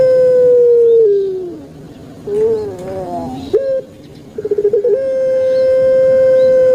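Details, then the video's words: Captive Javanese puter pelung turtle dove in a long cooing call: a steady tone that slides downward, a short quavering phrase, a stuttering run of clipped notes, then a level, sustained coo lasting about two seconds. "𝙋𝙐𝙏𝙀𝙍 𝙋𝙀𝙇𝙐𝙉𝙂 𝙎𝙐𝘼𝙍𝘼 𝘼𝙎𝙇𝙞 𝙋𝘼𝙉𝙅𝘼𝙉𝙂 𝙆𝙒𝙊𝙆 𝙏𝙀𝘽𝘼𝙇"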